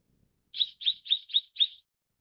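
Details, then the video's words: Mrs. Gould's sunbird (tonghuafeng) gives five quick, high, slightly buzzy chirps in a tight evenly spaced run, each note dropping a little at its end, with no other sounds around. "藍喉太陽鳥/Mrs. Gould's Sunbird"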